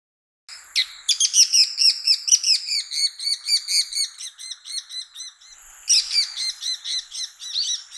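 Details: Bull-headed Shrike in winter, often in open farmland, riversides or satoyama, giving a rapid run of harsh, high chattering notes, about two per second, pausing briefly then resuming.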